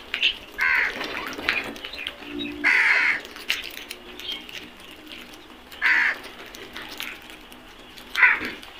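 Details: Black crows in a flock: single harsh caws spaced several seconds apart, each short and rasping, with quieter distant calls and light background noise between them.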